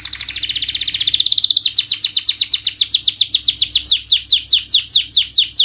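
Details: Canary lure song to encourage silent birds to sing: a fast buzzy rattle at first, then a long string of clear repeated sweeping syllables, roughly two to three per second, with higher overtones.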